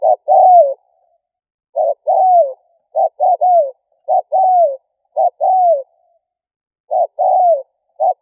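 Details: Spotted dove calling, used to provoke and lure wild doves: soft, hollow coos in short groups of two or three, each note dipping slightly, repeated after pauses of about a second against complete silence.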